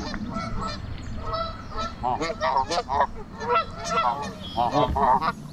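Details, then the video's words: A gang of geese met on a walking trail honk loudly and repeatedly, harsh nasal calls overlapping at a rapid, uneven pace, over a low rumble of background noise. "Crazy goose sounds"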